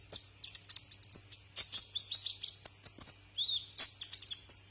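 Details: A Brown-throated sunbird sings on a tutor recording for cage birds, giving a dense stream of high, sharp chirps and buzzy trills with a low steady hum beneath.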